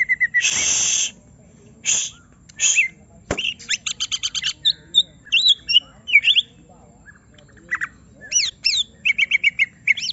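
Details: Provoked greater green leafbird showing its full repertoire: a harsh noisy burst and a sharp click open, followed by quick metallic ticking notes and squeaky slurred whistles in scattered bursts.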